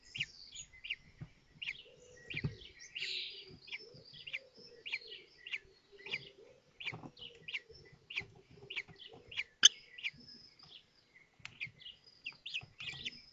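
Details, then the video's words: Common kestrel nestlings at a nest in Théding, France, 19 May 2024, during the hatching of the fifth chick while the others feed; steady run of thin high chirps about twice per second over a soft lower whining tone. "5ème naissances - 19/05/2024 - Les faucons crécerelles de Théding"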